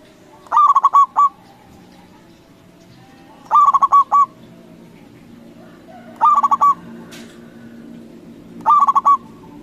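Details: Local zebra dove with a loud voice, used as a lure to provoke rival doves into replying; loud phrases of four to five quick, throaty cooing notes ending in a longer note, repeated about every three seconds over faint low background hum.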